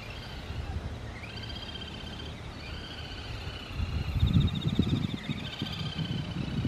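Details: Little grebe, 4 September 2015, possibly in courtship behaviour, giving high, rapid whinnying trills that rise then hold steady, in long runs, over a heavy low rumble of wind or distant traffic.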